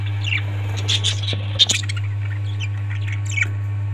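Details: Parrots giving a few harsh, broadband squawks and short chirps, loudest around the middle, over a steady low electrical hum.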